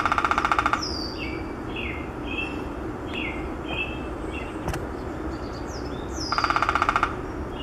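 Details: Downy woodpecker drumming at Maplewood Park, North Vancouver, BC, Canada, on 11 June 2017: two short, rapid rolls, each under a second and about twenty taps long, at the start and end, with other small birds chirping between them.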